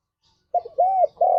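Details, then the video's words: Spotted dove giving a morning lure song meant to bring other doves into breeding mood: a short coo and a faint dip, then two longer arched, mellow coos in quick succession, with a quiet background. "Tekukur Gacor Suara - Pancingan Pagi Paling Ampuh Naik Birahi"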